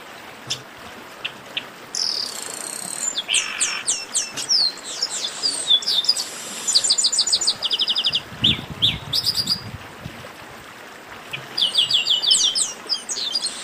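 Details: Chestnut-capped blackbird giving its esquenta, or warm-up, song: bursts of high, sharp whistled notes and rapid stuttering trills, some rising and some falling, with short pauses between phrases and a low rumble near the middle.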